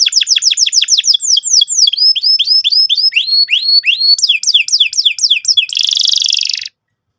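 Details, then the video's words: Canary lure song meant to set young canaries trilling: rapid series of downslurred whistled notes, about four per second, shifting into varied sweeping phrases and ending in a dense buzzy burst before abrupt silence. "PANCINGAN BURUNG KENARI GACOR SEKETIKA BIKIN PAUD NGEROL NGK MAU DIAM"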